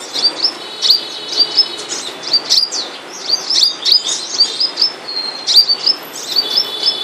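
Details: A moulting flowerpecker gives very high, thin, sharp chirps and ticking notes in quick irregular bursts, with short buzzy trills between them.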